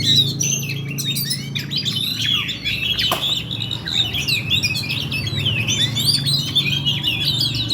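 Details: Oriental magpie-robin in fighting mode, delivering a continuous rolling 'ngerol' song: dense, fast, varied chirps and whistled slurs tumbling without pause, with a steady low hum underneath and a brief sharp click near the middle.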